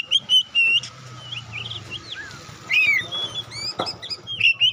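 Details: Kacer, the Oriental magpie-robin, singing as a lure: bright whistled notes, quick twisting slurs and a descending sweep, with noisy hiss and low rumble in the background.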